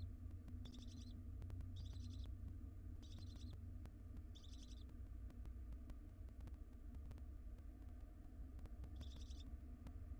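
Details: One-day-old wild barn owl nestling left alone in a nest box for a couple of minutes while its mother is away; short raspy chittering bursts, five in the clip, roughly every one to two seconds, over a steady low hum and scattered clicks.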